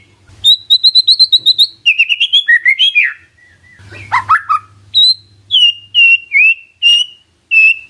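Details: White-rumped shama song meant to trigger a response from a silent bird: a quick stuttering series of high chips, warbled rising phrases, then evenly spaced clear whistled notes, with a low hum in places.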